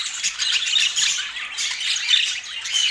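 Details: Pet rainbow budgies enjoying apple give a dense, continuous stream of high squawky chirps and twittering warbles that rise and fall in loudness over a few seconds.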